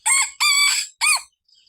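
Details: Domestic rooster crowing in the morning to call wild junglefowl: a loud, short, harsh crow in three bursts, a brief opening note, a longer sustained middle section, then a clipped final note, over a quiet background.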